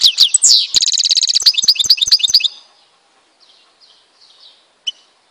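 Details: Goldfinch of Algeria, Tizi Ouzou, pours out a dense, fast twittering trill of high tinkling notes for over two seconds, then falls to faint soft notes and one last sharp chip.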